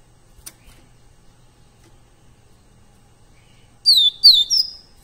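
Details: Coleiro pardo, the Double-collared seedeater, in a live training recording for captive birds: near silence with a faint click, then at the end three quick bright downward-slurred whistles.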